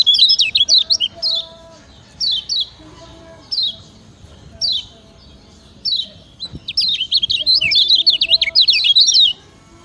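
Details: Master song of a Lemon-bellied white-eye (kecial kuning), Lombok, played to train other birds: brief chattering phrases spaced a second or so apart, ending in a dense, fast twittering stream, with faint low tones behind.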